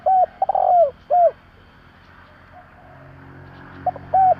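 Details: Cooing of a spotted dove used to stir decoy birds, one phrase of a short coo, a long slurred coo and a falling closing note, then a pause before soft notes begin the next phrase; light background hiss.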